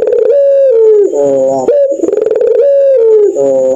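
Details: Laughing night song of a puter pelung dove: resonant drawn-out coos that slide downward, separated by a throaty vibrating burr, repeated twice in a steady cycle inside a small room.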